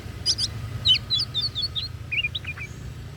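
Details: Oriental magpie-robin (kacer daput) pours out a rapid jumble of high chirps and twittering notes, busy and irregular, with a steady faint hum in the background.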